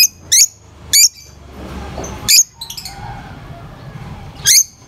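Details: Lovebirds making piercing high-pitched chirps, short sharp notes spaced about a second apart, with brief quieter twitters between them over a low background hum.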